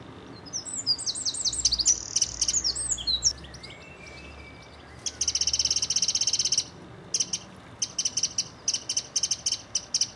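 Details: Mistle thrush family of two parents and three juveniles visiting a garden: a few quick chirped notes, then long dry, clicking rattles, one unbroken burst followed by several short rattling bursts.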